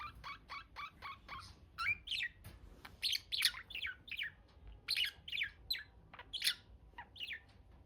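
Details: Budgies chirping busily: rapid, overlapping bursts of high, bright chirps and short squeaky notes repeated at an uneven pace, forming a lively chatter throughout.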